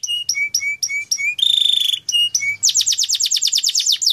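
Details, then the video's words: Canary used as a singing lure: short clear whistles repeated about four times a second, a brief harsh buzz, more whistles, then a quick repeated downward-slurred trill. "Pancingan Burung Kenari Agar Cepat Gacorr"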